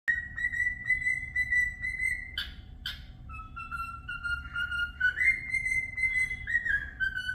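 A cockatiel whistles long, clear, sliding notes, broken by two sharp chirps, over a faint steady hum.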